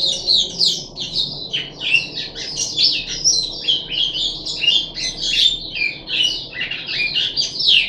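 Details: Puff-backed bulbul, 14 July 2021, third day of deworming, giving a dense, scratchy, high-pitched chatter of fast squeaky and warbled notes throughout.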